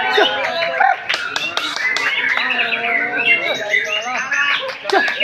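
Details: Young Oriental magpie-robin, one year and four months old, delivering a continuous, dense song of bright whistled phrases, short chirps and buzzy slurred notes, with sharp clicks scattered throughout.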